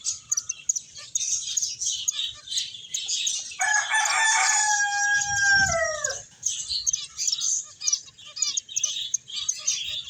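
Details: Flock of finches playing and eating, keeping up a dense, high, rapid twittering chatter throughout, while a rooster crows loudly in the middle with a long, harsh, falling call lasting about two seconds.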